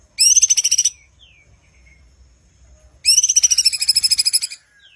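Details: A caged cucak cungkok sung as a tutor bird, fast and sharp: two rapid, rolling bursts of high notes, the second longer, separated by a short pause, over a faint low hum.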